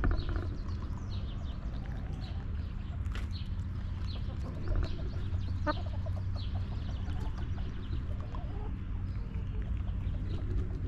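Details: Back yard chickens resting in their coop cluck softly in brief, irregular notes while a constant deep rumble continues and faint high-pitched chirps come and go.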